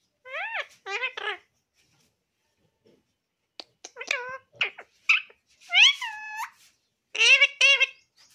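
An Alexandrine parakeet says "mummy" over and over in a high, nasal, word-like voice, with two-syllable bursts and short pauses between them.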